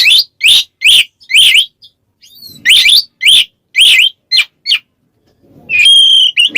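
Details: Kacer, the Oriental magpie-robin, calling a rival in ngeplong style: a rapid series of loud rising-falling slurred whistles, a brief quiet gap, more slurred notes, ending on a long pure whistle.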